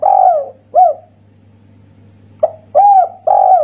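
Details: Indonesian local spotted dove singing the kuk satu style: soft hooting coos, one phrase of two notes then a longer run of three coos after a pause, over a faint low steady hum.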